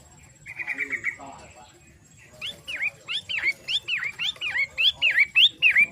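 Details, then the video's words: Long-tailed shrike, called pentet matahari, starts with a brief even trill and falls silent. It then launches into swooping whistled phrases roughly twice a second, building in loudness. "Burung Pentet matahari"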